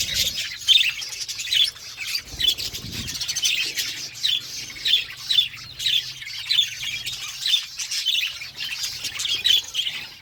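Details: Budgies in a flock eating food, a steady high chatter of chirps and warbles with louder bursts recurring roughly every second throughout.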